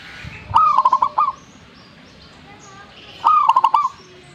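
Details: Zebra dove singing eagerly, two quick phrases about three seconds apart. Each is a tight burst of stuttering, high cooing notes followed by a brief trilled tail, with quiet surroundings.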